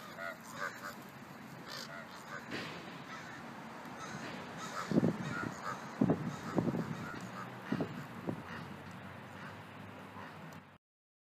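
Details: Ravens calling during a fight between two pairs: a hoarse, irregular series of croaking calls grows louder in the second half, over constant background rumble and hiss.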